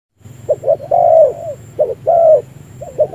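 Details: Spotted dove used as a decoy bird for trapping, giving a distinctive coo while lowering its chest: short paired notes then a long drawn coo, repeated about every second, over a low steady hum.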